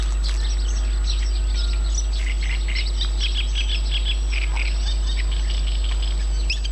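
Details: Several birds chorusing in Yanovka, Novocherkassk, recorded 29 May 2017, with quick bright chirps and short twittering phrases tumbling over each other, backed by a constant low rumble and a thin steady tone.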